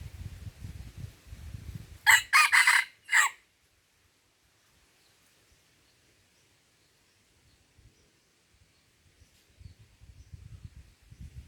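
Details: Red junglefowl at Lamteuba in Aceh, Indonesia, during decoy trapping: a brief crow of four harsh syllables lasting about a second, set between stretches of rustling and soft movement noise in the vegetation.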